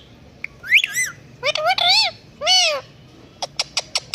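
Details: Indian ringneck parakeet kept as a talking pet, mimicking a cat with arched whistled glides, a harsh rising-falling squawk, and a loud drawn-out meow-like note, closed by five quick sharp clicks.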